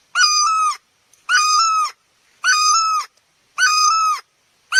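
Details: Close, loud calls of a great barbet, Asian species called นกตั้งล้อ in Thai: rich, nasal, wailing notes about half a second long, each slightly rising then falling, repeated every second and a quarter with silence between.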